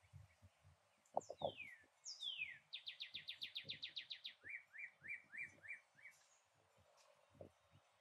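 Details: A rare yellow northern cardinal named Sunny, filmed on an iPhone in a backyard in Port Saint Lucie, Florida, sings clear down-slurred whistles, a fast run of about a dozen sharp notes and slower rising slurs, over low thumps and handling noise.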